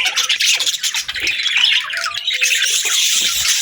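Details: Budgerigars chirping happily, quick squawky chirps and scratchy chatter, with brief softer gaps between denser bursts.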